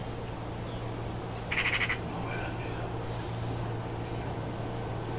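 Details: Water rail (Rallus aquaticus) calling at an ornithological observatory in Catalonia on 11 November 2019: a short, harsh burst of rapid squealing notes, about half a second long, with fainter notes after, over a steady low hum.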